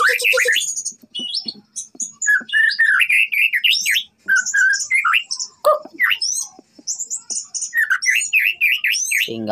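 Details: A six-month-old white-rumped shama of the Kota Agung line, a fighter-type songbird, sings a fast, varied run of rich whistles, chattering trills and sharp rising notes, about four phrases a second.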